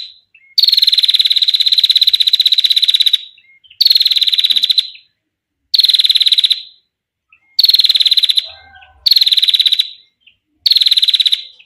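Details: Female Bar-winged prinia giving a long, clear 'ngetir' trill, used for training other songbirds or luring. Six rapid, buzzy, high-pitched trill bursts on one steady pitch. The first lasts about two and a half seconds; later ones are shorter, with brief silent gaps.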